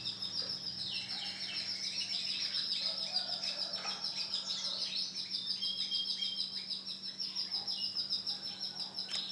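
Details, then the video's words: White male canary singing a long, rapid warbling song of high trills and chirps, bright repeated notes packed several per second with little pause, a steady low hum underneath. "CANARY JANTAN PUTIH"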